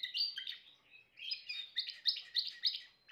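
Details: Timbrado canary song: a rolling trill, a brief lull, then a series of quick, ringing pulsed notes repeated at a steady clip.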